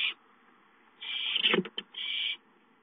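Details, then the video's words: ['Owlets at home, calling for food on 5-9-13: a short raspy hiss, then a longer harsh screech mixed with a lower scuffling noise and a few clicks.'] "Owlets have fun playing at home, Chicka calls for food"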